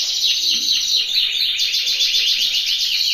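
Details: Spanish timbrado canary in an aviary, singing a continuous high, rapid rolling trill of metallic notes with little pause throughout.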